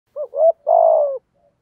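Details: Spotted dove with a 'giọng thổ' voice style, cooing to lure wild doves: one low hooted phrase of a short note, a rising two-part coo and a long, slightly falling drawn-out coo, clean with no other sounds.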